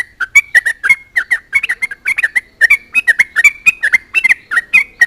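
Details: A Sooty-headed bulbul in full song, taunting opponents so other bulbuls reply, delivering dense, uneven chatter of short bubbly notes with crisp clicking attacks throughout.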